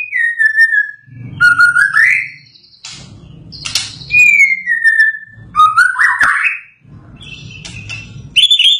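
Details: White-rumped shama just after its moult, singing loud, rich whistled phrases, some sliding down and others rising, with brief pauses between them, over a low background rumble.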